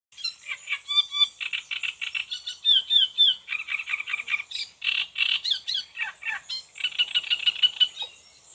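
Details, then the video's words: Great reed warbler singing in June, recorded the day after a first sighting: loud harsh croaking and chattering phrases, repeated grating notes in rapid series with squeaky higher whistles, pattern shifting every second or so. "ROUSSEROLE TURDOÏDE chant - Great Reed Warbler"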